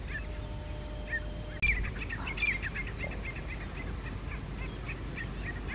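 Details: Wild grey francolins calling loudly to challenge another group over territory on high rocks, early October 2022 morning: a sudden onset of quick, repeated high chirping notes in an even series over a hissy background.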